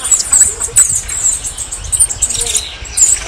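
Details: Short bursts of very high, thin twittering from a red-necked tanager, with brief quieter gaps between the clusters.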